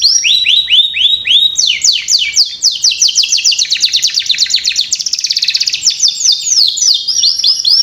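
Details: Canary song played as a lure to get young canaries singing quickly: bright, fast trills of repeated downward-sweeping notes, changing into a denser buzzy rolling phrase midway, then back to clipped repeated notes, with no other sounds.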